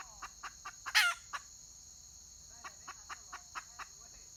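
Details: A wild red junglefowl hen, recorded 31 May 2023, utters one harsh, explosive squawk set among a string of short, clipped clucks, with a constant high-pitched insect drone behind.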